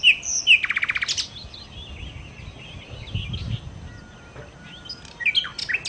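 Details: Nightingale, or sikatan londo, opens with two sharp whistles and a fast rattling trill, falls quieter with faint notes and low rumble, then ends with a burst of sharp chips.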